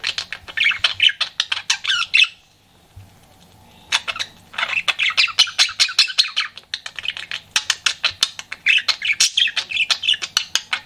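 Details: Flirting pet budgerigar: long runs of fast, rattling chirps and harsh squawky chatter, broken by a quiet pause of over a second, then resuming in rapid repeated bursts.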